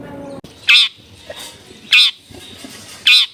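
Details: Long-tailed shrike at a house in a densely populated neighbourhood: loud, harsh, rasping squawks about once a second, three in all, over quiet background noise.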